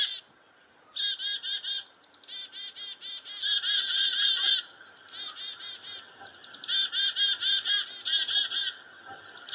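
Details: Three Black-capped Chickadees in a bush near a farmhouse, alarmed for over an hour by a goshawk preying on a dove, give rapid, harsh chick-a-dee-dee alarm calls: buzzy note strings in quick bursts with brief pauses.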